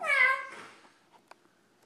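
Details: Lilac-crowned amazon at home producing a single loud, nasal cat-like meow that fades after half a second, followed by a faint click.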